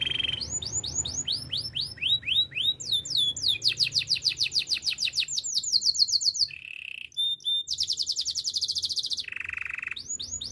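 A Belgian canary sings fast, high rolling trills, switching between rapid repeated chirps, whistled notes and buzzy tours, with no other sounds.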